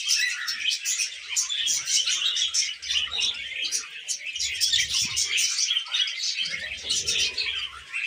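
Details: Pet budgerigar making happy sounds: continuous dense warbling chatter of fast chirps, clicks and squeaky notes, steady throughout with brief low thumps.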